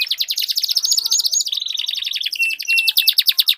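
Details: Canary singing duel: a fast pulsing buzzy roll repeated many times per second, dropping in pitch midway into a lower rattling trill, with thin high whistles layered over it.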